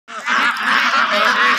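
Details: White Pekin ducks on a farm in West Bengal near Kolkata; a dense, continuous chorus of harsh nasal quacks from many birds blending into one steady roar.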